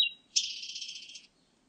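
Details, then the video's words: Blue-and-white flycatcher: a short clear whistle, then a sustained buzzy, rasping burst lasting almost a second, heard against a quiet background. "큰유리새, 여러번 듣기, 곤충소리, 새소리"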